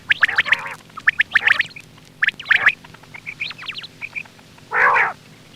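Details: Quail lure recording for hunting: three clusters of clicks with rough buzzy notes, a run of short high pips, then one loud harsh rasping burst.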